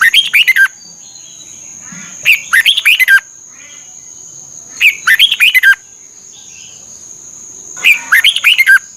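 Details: Red-whiskered bulbul from Thailand, recorded for playing to caged birds to excite and train them. Four bursts of rich, warbled whistled phrases arrive about every two to three seconds, each falling at the end. A steady high-pitched whine runs throughout.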